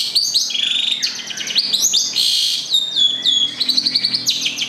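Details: Long-tailed shrike, local Gedong Songo bird from Central Java, singing a dense jumble of buzzy trills, rising and falling whistles and chattering notes, nearly continuous and loud.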